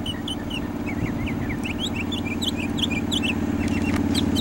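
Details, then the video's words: Long song of a mockingbird: quick repeated chevron-shaped whistles, slurred up and down, delivered in fast runs of near-identical notes over a constant low mechanical hum. "The Long Song of the Mockingbird"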